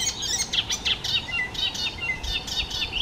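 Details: Icterine warbler, a songbird that mimics the voices and songs of other bird species, singing a fast, varied run of high chirps, trills and short whistled notes, some rising and some falling, almost without pause against faint background noise.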